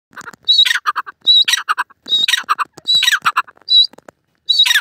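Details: Francolin calling loudly: harsh, scratchy phrases repeated about once a second, each with a thin high whistled note followed by a burst of rasping notes, with short silent gaps between phrases.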